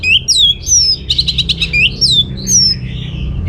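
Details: Clear orange-headed thrush song used to lure other birds into answering: bright slurred whistles alternating with a fast stuttering series of notes, delivered in rapid, varied phrases.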